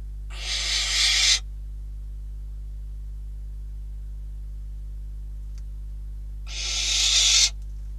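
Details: Barn owls at a Catalonian nest on 12 December 2021, with a bird and then a rodent delivered as prey: two harsh, hissing screeches about a second long, six seconds apart, with silence between them.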